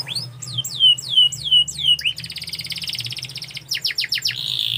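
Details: Canary song opening with a run of about seven loud falling whistles, then a rapid rattling trill, a few swooping notes and a steady buzz, over low hum.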